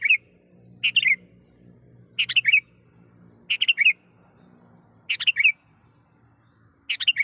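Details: Energetic sooty-headed bulbul calling out to a rival, used to draw in wild birds: five brisk chortling phrases of three or four clipped notes, repeating roughly every one and a half seconds over quiet background.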